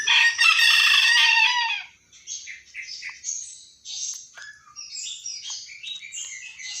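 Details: A rooster gives one loud, harsh, drawn-out crow of about two seconds; a young caged Cucak Ijo (green leafbird) in the morning, provoked by the crowing, answers with quick, high, scratchy chirps and twitters.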